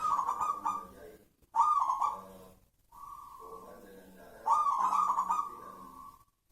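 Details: Local wild zebra dove singing clear, trilled cooing phrases that run into sustained level tones, several phrases separated by brief pauses.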